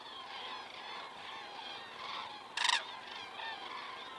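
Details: Common cranes flying over Estonia, 19 September 2017, 19:10, picked up by a crane cam: continuous overlapping bugling calls from many birds, with a brief loud crackling burst partway through.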